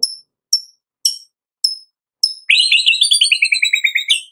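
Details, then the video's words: White-rumped shama 'tembakan' burst song, an afternoon recording used as a lure to make other shamas sing: five sharp high chips about half a second apart, then a fast, bright, descending rattle of rapid notes. "TEMBAKAN MURAI BATU Sore Hari"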